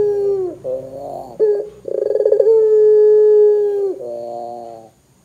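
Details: Barbary dove calling loudly to set other doves calling: a short falling note, a rippling pulsed roll, then a long steady low coo that droops at the end, all strongly harmonic, with no other sounds.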